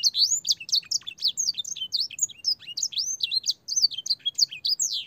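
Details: Canary master song for training young birds, with blackthroat and sanger phrasing, clear and sustained. Dense chain of high looping whistles, quick slurred notes repeated rapidly for over five seconds, faint low hum beneath.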